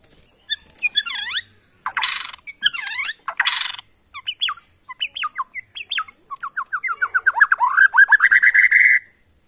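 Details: Wild-origin Borneo white-rumped shama from Kalimantan forest, its song meant to rile other shamas: harsh buzzy bursts, then varied whistled notes, building into a fast rising rattling series of phrases.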